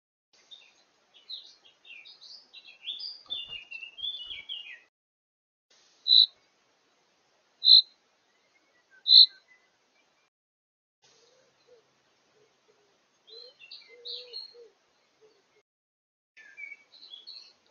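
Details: Woodpecker caught by a camera trap on 4 June 2024, giving three loud, sharp single notes about a second and a half apart amid soft twittering.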